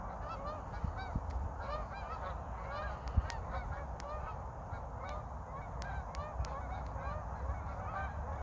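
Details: Flock of geese in North Idaho, Pacific Northwest, flying north and south during a snowless winter; a dense, continuous babble of overlapping nasal honks from many birds, with sharp clicks and a low steady rumble beneath.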